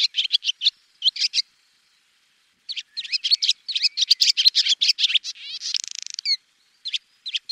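A swallow twitters in quick bursts of high, scratchy chirps, broken by short pauses and one dry buzzing rattle near the end.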